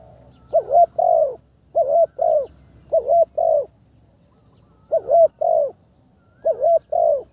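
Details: Spotted dove decoy bird in its third training session, with its condition much improved: five paired phrases of mellow, wavering coos. Each phrase is a short note followed by a longer one, with pauses between the phrases.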